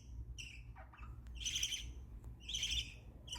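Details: Soft, happy budgerigar chirping: two fuller raspy chirps and a few fainter short notes, fairly quiet against a low rumbling background.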